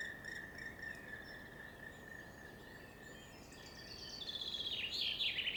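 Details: A Black Woodpecker passing through forest gives its characteristic long rolling call, building over the last two seconds: rapid, loudening notes about four a second, over a steady high insect-like drone.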